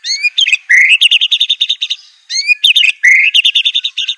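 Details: White-rumped shama, Aceh type, in a training master song: a rising whistled slur runs into a quick, uneven chatter of bright notes. The phrase is given twice in about four seconds.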